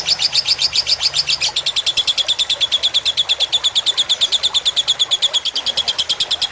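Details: Lovebird in fighter style on a tutor recording for training other birds: a steady, fast run of sharp high chirps. It shifts to slightly lower notes after about a second and a half and continues unbroken to the end.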